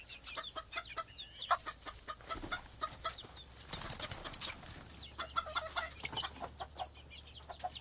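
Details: Chickens in a coop give a busy scatter of short, sharp clucks, overlapping and irregular, with a few louder bursts and a steady low hum underneath.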